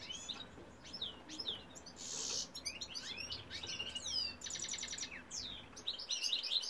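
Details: Male European goldfinch singing: fast liquid twittering of high tinkling notes, quick downslurred chirps and a brief buzzy rasp, delivered in a continuous bright jumble.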